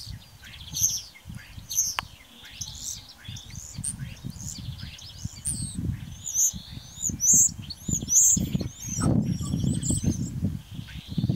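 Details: A common starling sings in the morning on 8 April 2018 at Braziūkai, Kaunas district, Lithuania, a rambling medley of sharp high whistles, clicks and chattering notes over a steady low rumble of wind.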